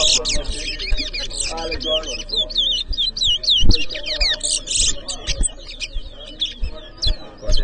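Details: Chestnut-bellied seed finch (towa towa) singing at a 2023 bird whistling competition in Edinburgh Village, Guyana; a dense run of high, quick whistled and twittering notes, with people talking in the background.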